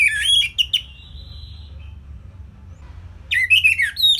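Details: Orange-headed thrush singing, used as a training recording for cage birds: a rapid burst of slurred whistles and a soft drawn-out note, a silent pause, then another quick run of sharp whistled syllables.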